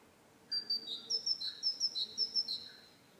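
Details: Parus major, the great tit, sings a run of high paired notes, each upper whistle sliding down to a lower tone, repeated regularly around eight times.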